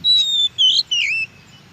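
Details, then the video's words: Oriental magpie-robin heard in the wild, used to coax captive birds into singing; three loud high whistled notes, the first long and level, the next two slurred and falling, in under two seconds. "NYAUT Dengan di MASTERI suara KACER di ALAM"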